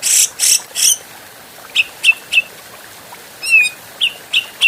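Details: Grey-cheeked bulbul, an adult, in a clean training master for cage birds: three harsh, noisy bursts open, then a run of crisp chips and one twisting slurred note before more chips.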